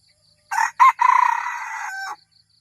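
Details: Wild-bird lure call of red junglefowl, Thailand: a loud crow opening with two brief rough bursts and ending in a prolonged raspy tail, with a soft rhythmic insect pulse behind it.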